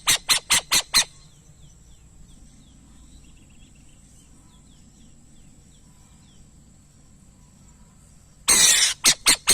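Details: Burrowing owl giving five quick harsh rasping notes, then a long pause with faint high chirps and low hum. A loud grating screech follows near the end, then three more short rasps.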